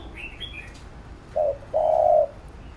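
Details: Single spotted dove phrase for training a young captive bird: a short low note followed by one long, steady, hollow coo, after brief high chirps from another bird.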